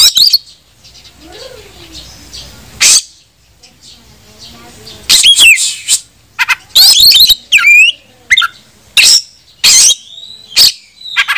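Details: Oriental magpie-robin in vigorous fighting song used as a lure to rile other kacer into opening their tails. Quiet stretches with faint murmuring give way to loud scattered harsh notes and curling whistled phrases.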